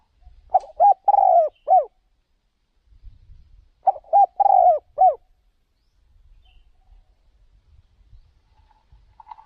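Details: Spotted dove kept as a decoy for luring wild birds on a trip to another province; two near-identical cooing phrases about three seconds apart, clipped notes then a drawn-out burry coo, with soft low rumbling between.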